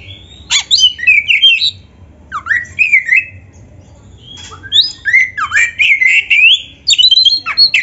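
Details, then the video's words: White-rumped shama singing in full voice to train other shamas, loud varied whistled phrases with sliding, looping notes and sharp clicks in bursts separated by short pauses, faint low hum beneath. "SUARA BURUNG KACER GACOR FULL NARUNG ‼️ Untuk MASTERAN KACER MANAPUN"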